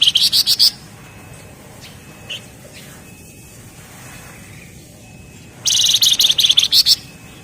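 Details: Flamboyan (Javan grey-throated white-eye) in energetic ngebren song: a short burst of rapid, buzzy, high-pitched notes, several quiet seconds with a faint whistle, then a longer fast chattering run.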